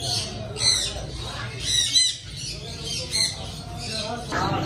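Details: Pet parrot, one of several kinds kept at home, giving a series of harsh, high squawks in short bursts roughly once a second, with a steady low hum and background murmur underneath.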